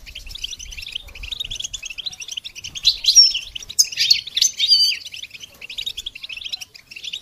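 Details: Goldfinch singing to stimulate songbirds, a fast stream of tiny ticking chirps that swells into louder, buzzy warbling trills before fading back.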